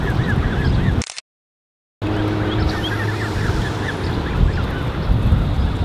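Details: A creche of over 30 Canada goose goslings, June 2015: high peeps broken by a second of silence, then continuing more faintly over a low droning hum and rumble.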